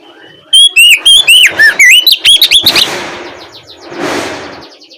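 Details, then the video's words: Oriental magpie-robin singing a ngeplong lure phrase in the evening: a rapid string of about twelve loud swooping whistles, some buzzy, followed by broad hissing noise as the song stops. "Pancingan suara Kacer ngeplong sore hari untuk merangsang Kacer supaya lekas nyaut bunyi"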